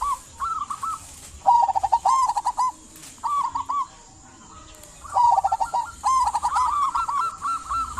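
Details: Local zebra dove singing to spur silent doves into song; bursts of fast bubbling coos with stuttering rising ends, grouped into runs separated by a quiet gap mid-way, a light high hiss behind.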